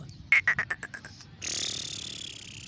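A young black francolin gives a quick run of about eight sharp, mid-pitched peeps that fade in strength, followed by a steady hissing noise.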